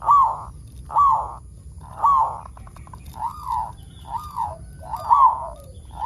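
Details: Local zebra dove singing to encourage other zebra doves to sing: a string of gentle, arched coos repeated roughly every second, evenly spaced and steady in pitch.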